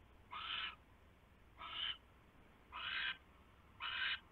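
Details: Owl at a nest on 27 January 2016 just after midnight, as a huge rat is brought in: four harsh, hissing screeches, each about half a second long, spaced roughly a second apart, over a quiet background.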